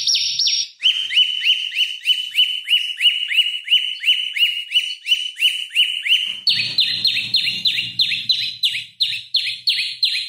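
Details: Prinia known as prenjak lumut singing as a training lure for magpie-robins: a long run of bright, evenly spaced chirps, some three each second, shifting midway to a higher, rougher note.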